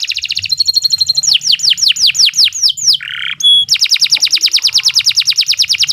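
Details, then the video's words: Canary training song: pulsed trills, a run of downward-sweeping notes, a harsh buzz, a pure high whistle, then a long even trill of repeated notes. "Kicau Burung Kenari II GACOR PANJANG Cocok untuk Masteran"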